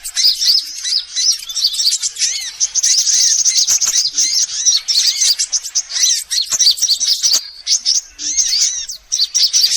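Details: Sunbirds of various kinds in a lure made to attract birds: a long run of high, overlapping chirps and twitters, with rising-falling slurred notes repeated beneath and short breaks near seven and nine seconds.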